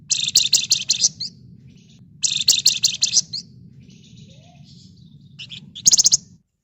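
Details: Red-whiskered bulbul in full ngebren rapat, nyerecet song: harsh, tightly packed buzzing chatter in three bursts with short sharp chips between them, over low background hum.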